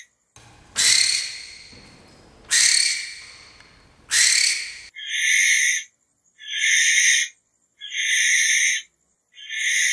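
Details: Barn owl screeching: three broad, hoarse screeches with faint background rumble, followed by four cleaner, evenly spaced rasping screeches, each under a second, repeated about every one and a half seconds.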